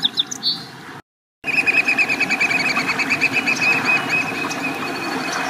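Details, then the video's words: A Song Sparrow perched on a huge beached log on the shore at Neck Point Park in the morning sings a busy, high run of quick chips and buzzy trills after a brief pause, with a soft rumble of wind or surf beneath. "Song Sparrow Sings"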